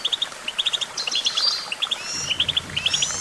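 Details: Goldfinch song: rapid bright twittering in short clusters of two to four high chirps, repeated almost continuously, with a few thin higher whistles in the background.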